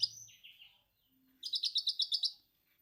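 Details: Orange-headed thrush performing lovebird 'ngekek' imitation. Soft slurred notes open, then after a gap comes a loud rapid trill of about ten sharp, evenly spaced notes.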